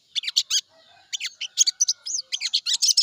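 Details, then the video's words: Sooty-headed bulbul used as a morning lure to prompt other birds to sing quickly: rapid bursts of high, sharp chirping notes in clusters separated by brief pauses, with no other clear sounds. "pancingan burung sogon di pagi hari || pancingan sogon agar cepat bunyi"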